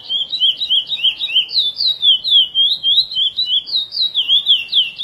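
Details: Curió, the chestnut-bellied seed finch, in praia-style song edited for encarte training: a fast, continuous string of high, bright warbled whistles, about three or four slurred notes each second, with no other sounds.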